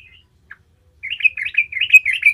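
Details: Yellow-vented bulbul song used to coax other bulbuls into singing: a faint note, then about a second of quick, bubbly, warbling chatter.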